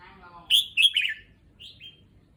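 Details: A caged red-whiskered bulbul, newly moved to a fresh cage and place, delivers a lively run of clear whistled notes ending in a falling slur, followed by two softer short notes; a faint voice is heard just before.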